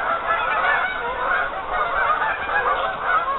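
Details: Dense honking from lots of geese on a partly frozen lake: unbroken overlapping calls, some sharper rising honks standing out over the crowded chorus.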